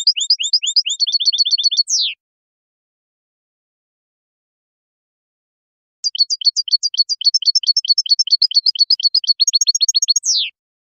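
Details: Goldfinch singing two bursts separated by a few seconds of silence. Each burst mixes rapid high twitters with quick even trills and ends in a sharp, downward-sliding note. The song is sweet and rhythmic, with a quiet background.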